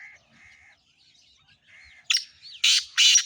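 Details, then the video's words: Soft whistled notes from other birds give way to a black francolin's loud, rasping, broadband notes, three harsh bursts close together near the end. "kala tetar ki awaz boli"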